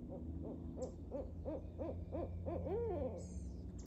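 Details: One of two barred owls active one morning in a backyard nature preserve gives a quick run of about eight hoots in three seconds, ending in a drawn-out wavering hoo; faint thin high whistle, low rumble.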